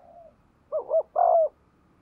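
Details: Spotted dove decoy bird cooing to encourage other doves to call; a brief fragment of two low, rounded coos over faint background hiss.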